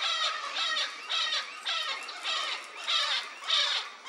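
Vinaceous-breasted Parrot giving harsh, raspy squawks, repeated about every half second in a steady series of seven, with no other sounds.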